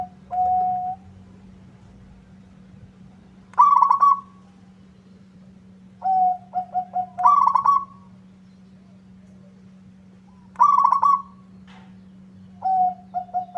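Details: Local zebra dove in strong song, described as making rival birds answer: repeated phrases of short staccato coos running into a rolling trilled coo, given every two to three seconds, with a steady low hum underneath.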